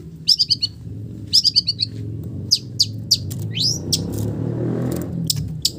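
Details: Long-tailed shrike song imitating village birds: quick descending strings of four or five high chips, then single sharp notes and a rising slur, while a vehicle rumble swells in the background.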